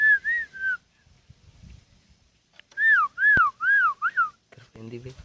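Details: Kept sooty-headed bulbul aged ten years: three arched whistles, a quiet gap with soft rustling, then four louder arched whistled notes, ending in a brief harsh noise.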